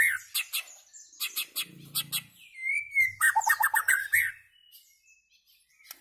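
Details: Singing white-rumped shama: clusters of quick high chips, a smooth descending whistle, then a dense fast warble of mixed notes, with a faint low hum underneath.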